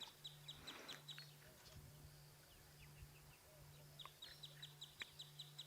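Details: Wood sandpiper at a water hole at sunset on March 7, alarm calling at a Wahlberg's eagle: rapid series of thin, high, sharp notes in quick bursts, over a steady low engine hum.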